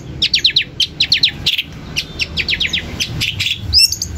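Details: Long-tailed shrike singing to provoke other shrikes: clean series of sharp downslurred chirps delivered in quick clusters of three or four, ending with a short twisting whistle.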